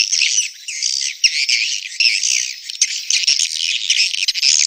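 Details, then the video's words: Mating call of swiftlets during breeding: many birds twitter at once in a thick wash of high, rasping chirps, surging in loud bursts about every second, with nothing else audible. "SUARA WALET BirahiBeranak | the sound of swallow lust"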